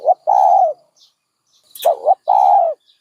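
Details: Dove cooing in two phrases, each a short hoarse note followed by a long, even, low coo, with quiet pauses between and no other clear sounds.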